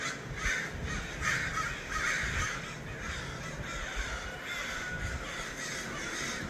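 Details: Crows gathered in numbers in Los Angeles: raspy, grating caws repeated about once a second, overlapping from several birds, fading slightly toward the end above a low rumble.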